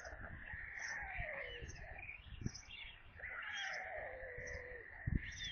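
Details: At a White stork nest in Kaluga region, Russia, on 22 July 2022, a corncrake is delivered during the evening feeding. Long drawn-out descending whines overlap steadier higher tones, with regular faint high ticks and soft thumps.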